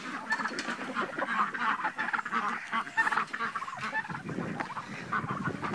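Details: A flock of domestic turkeys on a farm keeps up a dense chorus of overlapping, harsh warbling calls that rise and fall like a car alarm.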